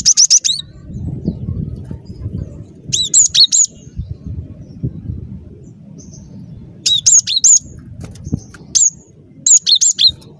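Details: Lively cinereous tit song for luring birds to traps: clusters of three or four high, bright two-note phrases, separated by pauses of a few seconds, over a faint low hum.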